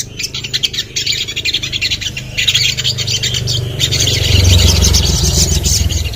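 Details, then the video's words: Sogon, the common iora, pours out quick high twittering for about four seconds. A low droning hum then swells and fills the rest of the recording. "TERAPI SOGON LANGSUNG BUNYI"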